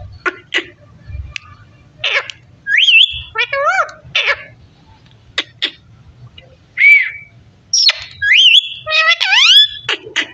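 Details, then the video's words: A talking parrot mixes sharp clicks with whistled rising-falling glides and stacked, wavering voice-like calls in a lively run of sounds. "parrot talking"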